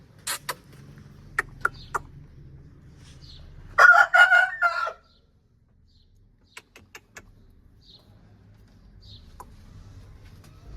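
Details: Aseel rooster giving a single harsh, rasping crow of about one second, loud and wavering, with sharp clicks and taps scattered before and after in an otherwise quiet setting.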